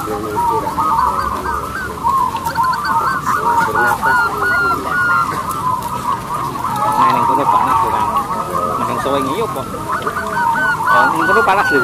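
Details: Several local zebra doves in full loud song, kept to encourage other doves to sing; dense, overlapping rolling coos repeat about twice a second through the whole stretch, with a faint murmur beneath.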